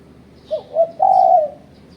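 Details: Spotted dove calling as a lure against rival birds: a quick pair of soft coos leads into a prolonged, fuller coo that tails off, with light twittering of small birds in the background.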